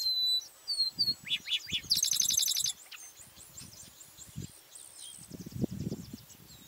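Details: Chestnut-capped blackbird amid a busy chorus: whistled notes, a run of sharp chips, then a loud buzzy rattling trill, followed by softer twittering from other birds and low rumbling noise.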